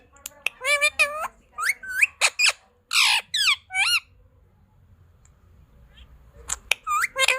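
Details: Pet parrot indoors giving a rapid series of harsh squawks and short rising whistled calls, bunched in bursts with a quiet gap in the middle, then more sharp clicks and squawks at the end.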